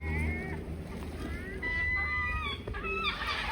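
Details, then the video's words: Many seagulls mingling among swans at a swan sanctuary on the River Severn, noisy while searching for food; overlapping harsh, harmonic calls, some flat and drawn out, others short and rising, with a steady low rumble of background noise. "Ear-splitting seagulls mingling among the swans"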